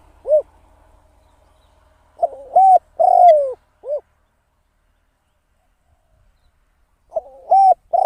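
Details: Decoy spotted dove kept for trapping, cooing: a lone arched note, then after a pause a stuttered two-part coo, a long drawn note sliding downward and a short arched note, with the phrase starting again near the end.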